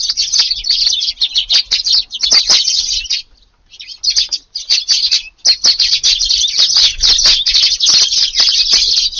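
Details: Tree sparrows at a garden feeder at breakfast time, about 5:30 a.m. on a rainy 2 August in Japan, giving a busy stream of high chirps with one brief lull near the middle.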